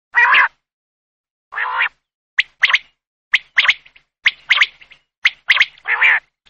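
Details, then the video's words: Male common quail, locally called batair, calling: a sharp single note followed by a quick double note, repeated about once a second, mixed with broader, harsher buzzy bursts. "Common Quail video/ Quail effects video/batair ki hawaz"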